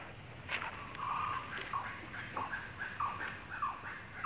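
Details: In harsh northern Australian country, where unlike southern birds it has no laughing call, a kookaburra gives harsh, rasping barks: short mid-pitched notes repeated about every half second over a faint steady hiss.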